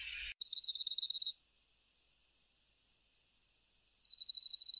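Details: Grassland yellow finch (Sicalis luteola) giving two short high trills of repeated notes, quieter and separated by a long silence, after a brief burst of noise at the start.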